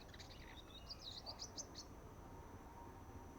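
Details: Juvenile sunbird trying out song: a short burst of very high, squeaky, quickly repeated chips lasting about a second, then quiet with faint background noise.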